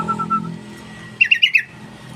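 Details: Sooty-headed bulbul call: a quick run of four bright, bouncy chirps, preceded by a faint, thin whistle and set over a soft low hum.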